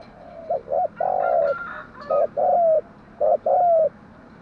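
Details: Spotted dove morning cooing, used as a lure to train doves to coo: three phrases, each a couple of short clipped notes followed by a longer, drawn-out, slightly falling coo, all low and hollow, in a quiet background.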